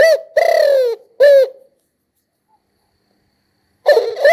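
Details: Spotted dove finishing a phrase with a long, downward-sliding coo and a short clipped note, silence, then beginning another stuttering coo sequence.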